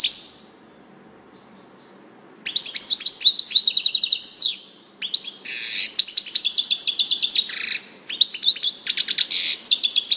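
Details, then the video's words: A European goldfinch sings in quick bursts of high, tinkling, liquid twitters and trills, broken by short pauses. "chardonneret song saka kuşu sesi"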